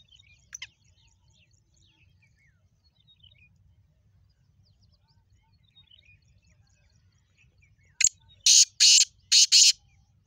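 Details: Black francolin (kala teeter), Sindh, Pakistan. Long near-silent stretch with faint distant chirps, then a sharp click followed by three loud, rasping, grating bursts delivered in quick succession near the end.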